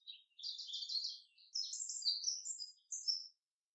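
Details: Common chaffinch singing in the forest: buzzy, rattling high notes followed by sweeping whistled phrases, in three bursts over about three seconds, with a quiet background.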